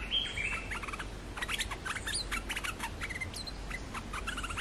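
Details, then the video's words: Olive-winged bulbul lure song for catching wild birds. Opens with a clear whistle, then a fast run of sharp chirps and short warbled notes in tight groups, with low background rumble. "suara pikat merbah lekir"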